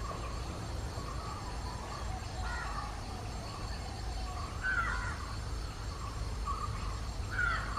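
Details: Indian grey hornbill pair, with scattered harsh squealing notes, some with a sharp rising-falling inflection, standing out near the end over a steady low rumble of background noise.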